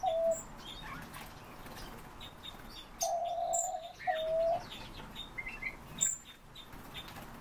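Chestnut-tailed starling giving a few short, low, slightly harsh notes, two drawn-out ones in the middle, among thin high chirps and twitters from other birds.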